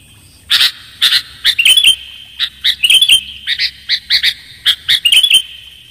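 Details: Lure recording of a sooty-headed bulbul: crisp high chirps in short groups, bursts coming roughly once a second, some notes with a rising twist, and a quiet low background hum.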